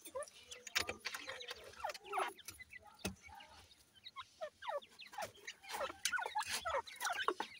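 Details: Playing teetar chicks, grey partridge young, give scattered thin downward-sweeping chirps and peeps from several birds at once, with intermittent clicks and rustles throughout.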